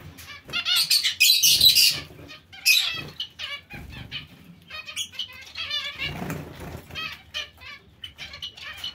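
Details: A busy colony aviary of zebra finches with other small finches such as Bengalese finches, giving rapid, nasal, high-pitched chirps and beeps, several birds overlapping, with bursts of fluttering wings.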